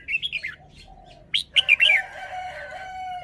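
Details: Red-whiskered bulbul singing a lively run of chirpy, bubbling whistled notes, ending in a more sustained warbled phrase that fades out.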